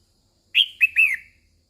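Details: Female red-whiskered bulbul calling to excite males: a clear three-note phrase of short slurred whistles, the last longer and falling at the end.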